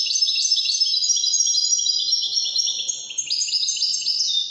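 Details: Unbroken stream of Wydani goldfinch song, high and sparkling, made of quick repeated chirps, tinkling trills and brief buzzy notes that shift pitch slightly from phrase to phrase.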